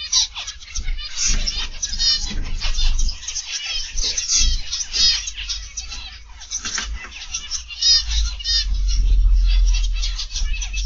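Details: Aviary flock of zebra finches on an August 2021 afternoon, many birds calling at once in busy nasal beeps and buzzy trills, bursts swelling and fading, with a low mechanical hum growing louder near the end.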